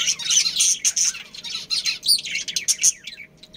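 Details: Budgerigars from a breeding pair and family of Australian parrots give busy, high twittering and chirps. The sound fades toward the end, leaving a quieter faint hum.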